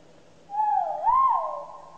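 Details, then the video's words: A Great argus gives a single loud, clear, hooting whistle that rises, wavers and then falls over about a second and a half, a call said to carry tens of kilometres; otherwise quiet. "suara merdu burung kuau raja 1000 mata | suaranya bisa terdengar hingga puluhan kilometer"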